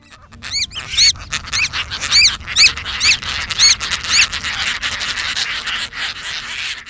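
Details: A noisy Caspian tern colony at Elkhorn Slough, California, where parents find their wandering chicks by voice: high, thin, arched calls about twice a second over a dense wash of overlapping raspy cries.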